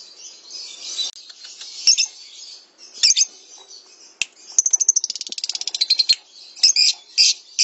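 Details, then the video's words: Lovebird song recorded for training other birds to sing: thin, shrill chattering notes, then a fast stuttering trill of many clicky chirps, ending with a few loud harsh squeaks. "SUARA BURUNG - Masteran Terbaik Love Bird | Song 5"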